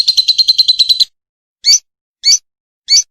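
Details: Singing lovebird, offered as a tutor recording for contest birds: a rapid trill of about ten quick, high notes, then silence broken by three loud, harsh chirps spaced roughly half a second apart.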